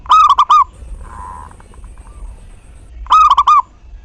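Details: Zebra dove of local stock singing to encourage other doves to coo: two quick bubbling phrases of four rolling notes three seconds apart, with a short soft buzzy sound between them.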